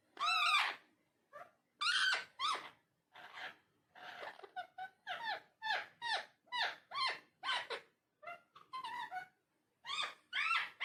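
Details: A talking parrot chatters indoors in a fast run of short, varied, harmonic syllables, a few longer louder phrases near the start and end, with a faint hum behind.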